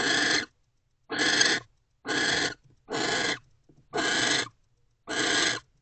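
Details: Owls mating inside a nest box in mid-afternoon on January 20, 2024. Rasping, breathy screech bursts, each about half a second long, repeat roughly once a second, steady and evenly spaced, with near silence between them.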